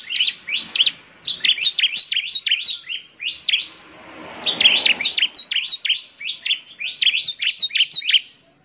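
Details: ['Energetic gacor singing by a bar-winged prinia intended to make others answer: run after run of rapid high, slurred chirps, with a soft rushing noise midway, ending abruptly.']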